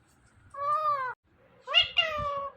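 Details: Pet Indian ringneck parrot imitating human words. One drawn-out, nasal, harmonic vowel-like note is followed after a pause by two louder, rising-then-falling voiced notes. Quiet low rumbling sits underneath.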